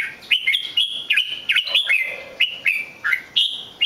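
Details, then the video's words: Loud, rapid song of a red-whiskered bulbul, a steady stream of clear whistled notes, many sliding upward then dropping, repeated several times per second without pause. "chào mào hót cực hay"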